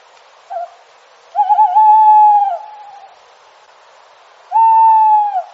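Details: Owl hooting at night in a forest: a brief soft note, then a long clear hoot that wavers at the start and holds steady for over a second. After a pause a second, shorter level hoot follows.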